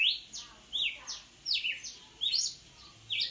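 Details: Red-cowled cardinal pouring out a forceful song of ringing whistled slurs, falling sweeps and short rising notes in quick groups, clear and close with a quiet background.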